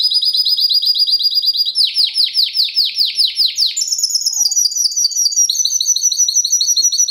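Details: Timbrado Español canary of 2013, a fast, metallic, strong classico-style singer, pours out a rapid high trill, shifts to a run of slower repeated downsweeping notes, then climbs into brighter, higher rolling trills.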